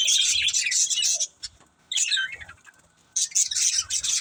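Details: Budgerigars of a pet family chirping in three loud bursts of dense high twittering and squeaky whistles, separated by quiet gaps of about a second, with soft low taps.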